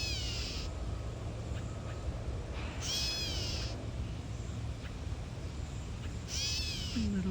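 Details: Catbird protecting the nest along a boardwalk repeats three nasal, cat-like mews about three seconds apart, each a short downward-bending whine, with faint clicks between and low background rumble.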